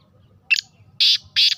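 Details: Harsh, rasping call of a female black francolin. One brief note is followed by two longer, loud grating bursts about a third of a second apart, over soft low background noise.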